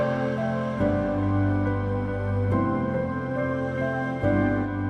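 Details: Soft new-age background music with sustained tender chords and gentle accents about every one and a half seconds; no animal sounds.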